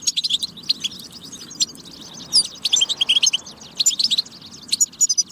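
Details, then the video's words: European goldfinch song meant to get goldfinches singing: fast jangling twitter with short buzzy notes and quick chirp runs, in several dense phrases with small breaks. "بتبة فتاكة لتحفيز الحسون على التغريد والجهوزية"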